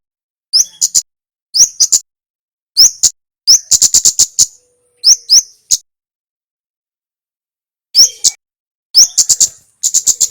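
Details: Male red Javan flowerpecker (kemade) in lively song for training and luring other birds: short clusters of thin, high ticking chirps repeated at uneven intervals with brief silences between, in an otherwise quiet background.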